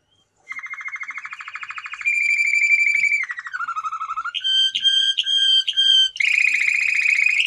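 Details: A male canary moves from a rising trill to a held whistle, drops into a lower roll, then gives chopped pulsed notes and closes with a rapid bright trill.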